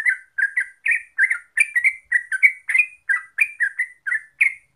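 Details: Yellow-vented bulbul (trucuk) song, played as a lure to make birds sing steadily: a fast run of bubbly, chattering two- and three-note phrases, roughly three bursts per second, with a thin high sibilant edge.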